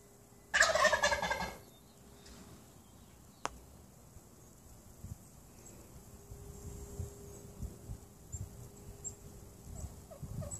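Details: Wild turkeys that have camped outside a home for two weeks, displaying and communicating; a tom's loud, rattling burst of gobbling lasting about a second, then quiet with faint background rustle.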